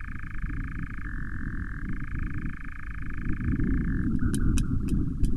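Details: Three interacting nightjars recorded by an osprey nest cam on 09/07/20; a continuous churr switches pitch, then falters near the end amid a few sharp clicks, with low rumbling noise throughout.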